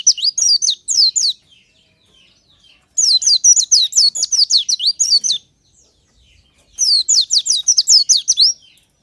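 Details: Oriental white-eye in the morning, a natural song used as a lure: three bursts of rapid high twittering, fast descending slurred notes run together, separated by short pauses, in clean quiet surroundings.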